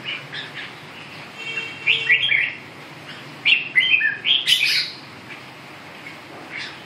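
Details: Red-whiskered bulbul song of short, clear whistled notes, some slurred up and down, given in quick bursts. The busiest run comes in the middle seconds, then fades to a single soft note near the end, over a faint low hum.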